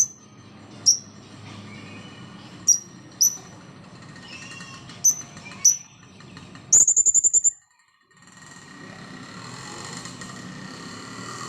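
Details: Freshly bathed and dried, a blue-crowned hanging parrot gives a series of thin, sharp high ticks at irregular intervals, then a rapid rattling trill of shrill notes, followed by quiet background hiss.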